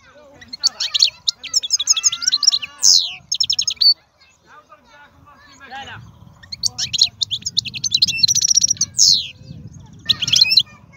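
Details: European goldfinch of wild stock, said to be the most powerful songster, giving two bursts of sprightly twittering with buzzy notes and slurred whistles, separated by a pause; low voices murmur under the second burst.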